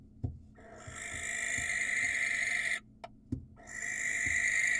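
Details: Wild barn owl giving a long hoarse screech of about two seconds to attract a female, a short pause with thuds, then another harsh hissing screech beginning, with scattered low knocks.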